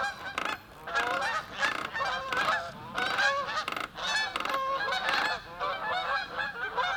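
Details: A flock of Canada geese honking, with loud, nasal, two-note calls overlapping almost nonstop in a ragged chorus, heard during a backwoods deck build among spruce trees.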